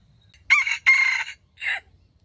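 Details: Trapped wild red junglefowl giving a stuttering crow: two harsh, broken bursts in quick succession, then a short clipped third note after a brief pause, over a quiet background.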